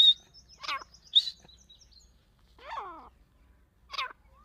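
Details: Calling grey francolin (dakni teetar): a few strident, buzzy notes, each falling steeply in pitch, spaced roughly a second apart over a quiet, still background.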